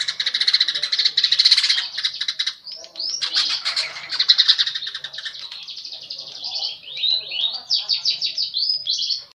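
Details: Singing baya weaver that mixes in house sparrow sounds: buzzy, crackling chatter at first, then a string of repeated sweeping chirps and slurred tweets, rising and falling quickly.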